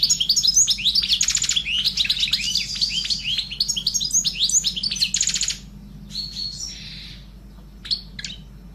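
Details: A pet sparrow chirps and twitters in a busy stream of high, bright notes, several per second, thinning after five seconds to a few scattered chirps.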